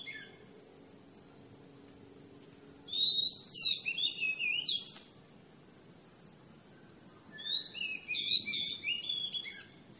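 A Madagascan magpie-robin gives two rich bursts of clear, fast-varying whistled phrases. A steady high insect-like hum runs underneath throughout.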